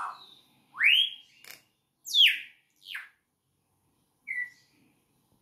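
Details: Campo troupial singing while perched on a finger: loud, clear whistled phrases, some rising and some sweeping down, in short bursts about a second apart with brief pauses.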